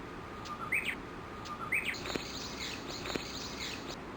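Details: Japanese bush warblers in a large flock of dozens, feeding around 7:30 in the early morning under a chinaberry tree at Gakujima Bridge, Kawashima, Yoshinogawa, Tokushima, Japan; short chirping notes repeated about once a second over steady background noise, with faint clicks.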